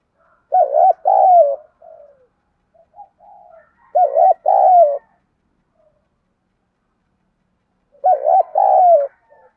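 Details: Spotted dove in Thổ voice, giving gáy gọi and thúc calls and soft gù cooing while a decoy bird answers. Mellow, pulsed coo phrases repeat roughly every three to four seconds with faint softer notes between them.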